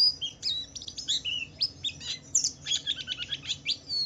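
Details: White-eye of the Wiklus Wiksar type singing ngalas, with ngeriwik twittering, to stimulate other white-eyes: clear high whistled notes mixed with quick buzzy chirps, a busy, rhythmic string of pulses.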